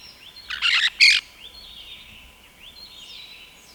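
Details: Rose-headed parakeet uttering two loud, grating shrieks in close succession, followed by faint, thin, up-slurred chirps and a quiet sustained high whine in the background.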